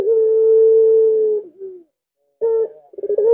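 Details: Puter, a collared dove, calling in the 'lengkungan' style: a long steady drawn-out coo lasting over a second, then a short falling tail. After a silent gap, fresh rolling coo notes begin.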